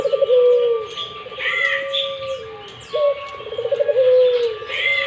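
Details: Barbary dove cooing: deep rolling, throaty coos, each a burry trill that settles into a longer steady note, two phrases about three seconds apart, with thin chirps of other small birds overhead.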